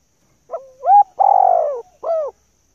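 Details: Lure call of a female spotted dove meant to draw in males; single clean phrase: brief note gliding upward, a rising coo, a long descending coo, then a short arched closing coo.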